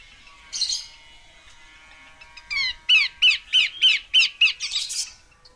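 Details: Female Horsfield's babbler repeating rasping, chevron-shaped notes in a steady series of about nine, roughly three per second, ending in a hissy burst; faint thin tones behind.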